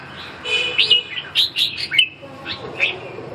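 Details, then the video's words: Red-whiskered bulbul probing a rival with a brief, busy burst of slurred whistles and chirps that tumble up and down for about two seconds, then a couple of softer notes, over a noisy hum. "ché thăm dò đối thủ"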